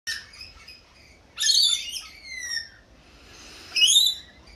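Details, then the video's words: Australian rainbow lorikeets in a feeding frenzy give harsh, high screeches and chattering squawks in three loud bursts, several birds calling over one another. "Rainbow Lorikeets feeding frenzy"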